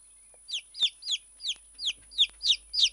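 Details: A hand-tame Silkie chicken chick gives eight loud, high, falling peeps at a steady pace of roughly three per second, each a quick downward slur, in a quiet room.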